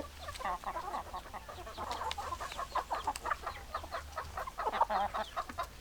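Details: A flock of hens clucking steadily: dense, overlapping mid-pitched clucks and short nasal notes pulse in quick succession, rising in loudness toward the end, over a faint low background hum.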